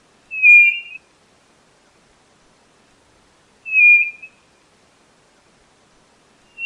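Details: White-bellied nothura repeating a single clear, flat whistle about every three seconds, each note under a second with a slight flutter at the end; quiet background.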